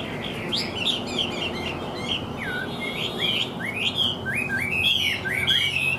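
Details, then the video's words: Chinese hwamei singing well with an even voice: loud, clear whistled phrases, many sliding up or down, in a rich, varied, almost unbroken stream over a faint low hum. "HÓT TỐT RA GIỌNG ĐỀU"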